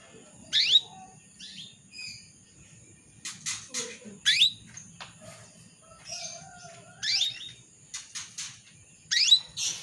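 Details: Female canary calling the male to draw him into song: quick high swept chirps in loose clusters, several loud notes with fainter ones between, plus clicks and a constant high-pitched whine in the background.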